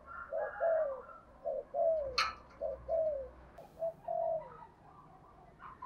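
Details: Spotted dove used as a decoy, cooing in the 'thúc gù' style. Paired mellow, downslurred coos repeat against a hissy background, with a sharp click-like noise near the middle and faint higher sounds.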